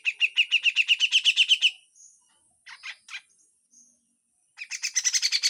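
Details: Harsh full song of a grey-cheeked bulbul with besetan, recorded for training: a fast run of about a dozen bright, buzzy chips at roughly four per second, a short gap with scattered notes, then another rapid chattering burst.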